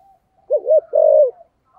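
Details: Single thổ-voice phrase from a spotted dove: a quick pair of soft, low hooting notes, then one long, steady coo that falls slightly at the end.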